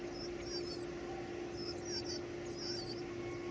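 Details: Baby birds begging while being fed: thin, very high squeaky bursts in three clustered bouts, each about half a second, over a steady low hum.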